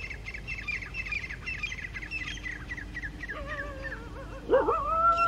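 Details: Grey francolins, two wild groups clashing and challenging each other over territory in early morning, October 2022, calling loudly from high rocks: rapid harsh repeated notes in a fast chatter, then a louder drawn-out squealing call at the end.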